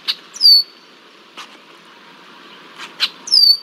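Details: Red-winged blackbird harassing a young bald eagle, DH2, at Decorah, Iowa, on 20 July 2023. Two sharp, high whistles slide downward, one near the start and one at the end, with soft clicks and a steady background hiss between them.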